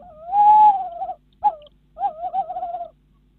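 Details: Tawny owls at a nest box in the Netherlands at 10:23 pm on 25 Feb 2016; the female in the box calls as the male arrives with a mouse: a long drawn-out hoot, a brief note, then a wavering quavering hoot.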